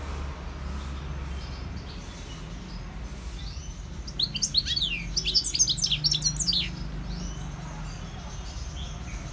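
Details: European goldfinch song: after quiet seconds, a two-and-a-half-second flurry of fast, sparkling high twitters and sweeps, then silence again.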